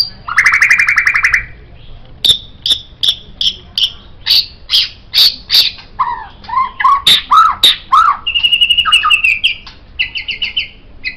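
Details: White-rumped shama song intended as a master for other songbirds: opens with a harsh rattling buzz, then crisp repeated high chips, warbled lower whistles, and a rapid trilled phrase with buzzy notes at the end.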